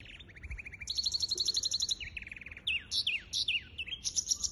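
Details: Hybrid finch singing, recorded on 23 April 2023: fast series of repeated chirps and trills, rapid two-note phrases, buzzy notes and sliding high whistles, with a faint low rumble underneath.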